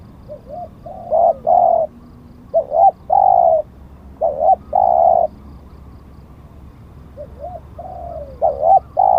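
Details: Spotted dove used as a decoy to lure wild doves, prized for auspicious markings; short bursts of hoarse, mid-pitched cooing in uneven phrases with pauses between, faint low hum beneath.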